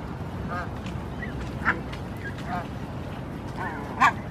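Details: Flock of barnacle geese with four almost fully fledged young walking toward the shore in Helsinki, Finland, June 2016; scattered short yelping calls at intervals over a steady low background rumble.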